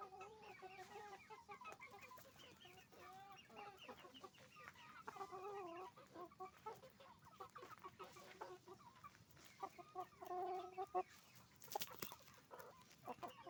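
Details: Crowded chicken farm with roosters and hens: continuous overlapping clucking and cackling, nasal harmonic notes rising and falling, a few sharp knocks, and a louder outburst near the end.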